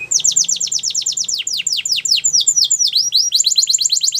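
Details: Russian canary singing in flute style: rapid series of downward-sweeping whistled notes repeated in fast rolling trills, shifting to slower, wider swoops partway through, bright and high-pitched with no other sounds.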